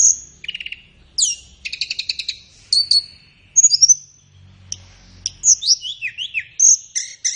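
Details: Tledekan flowerpecker singing for captive-bird training: a high whistle, a lower buzzy trill, rapid chattering chips, then a string of zigzag descending slurred notes and sharp ticks toward the end.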